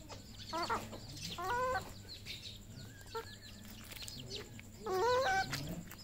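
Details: Red junglefowl on a farm in Cambodia giving three loud, harsh, harmonic squawking calls spaced a second or more apart, with faint high chirps and low background hum between them.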